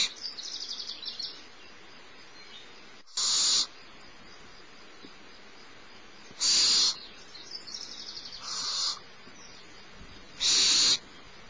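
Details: At Starr Ranch on the morning of 6 March 2011, the youngest barn owl owlet is fed by its mother; four short, harsh, breathy hisses sound at irregular intervals, with fainter high chittering between them.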